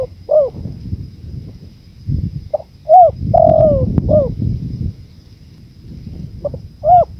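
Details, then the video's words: Spotted dove phrases rising out of soft wind noise: short arched coos, with one sustained note sliding gently downward in the middle, and then quieter stretches between the calls. "MASTERAN TEKUKUR 2024||PADUAN suara ANGIN ALLAM"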